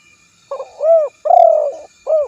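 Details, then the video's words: A spotted dove gives one coo phrase: a quiet opening note, a clear arched hoot, a drawn-out vibrating purr, then a brief arched closing coo. Low, soft tones over near silence. "suara burung tekukur terbaru"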